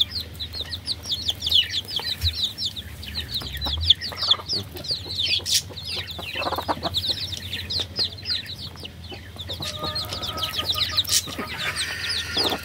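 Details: Baby chickens chirp continuously in a high, bright chorus, with occasional rustles and soft thuds. Toward the end a few longer, steadier tonal calls stand out.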